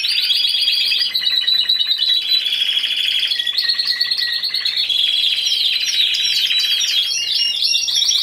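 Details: Timbrado Español canary, category C2 single bird at a 2015 song contest, delivers dense unbroken metallic trills and rolls that shift pitch repeatedly over eight seconds.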